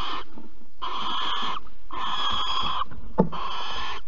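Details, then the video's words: Barn owl recorded at Alphen on 15 April 2020 around mating and a mouse: four drawn-out hoarse hissing screeches, with a brief soft tap between the last two. "Kerkuil Alphen 2020 04 15 PO muis en paring"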